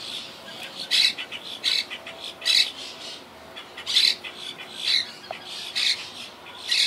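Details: Wild Quaker parakeets in a colony living high in trees, a colony that lost about half its members to hurricane Irma in 2017; harsh broadband squawks repeated roughly once a second, loud and scratchy, with some quieter calls in between.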